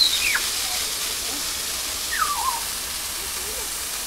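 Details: Grey parrots in a zoo enclosure on a warm July day, enjoying a shower as a keeper waters plants, give two sharp, falling whistles about two seconds apart over a steady hiss of spraying water.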